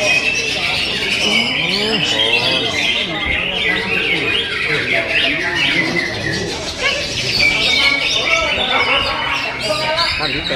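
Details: Energetic warbling from a Greater green leafbird, rapid chirps and scratchy trills in an unbroken run, while people talk steadily in the background.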